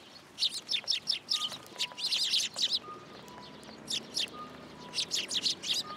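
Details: Sparrows gathering to take food from a pillar at a Tenman-gu shrine, 27 January 2023; bursts of rapid, high twittering chirps separated by short pauses, with faint steady tones in the background.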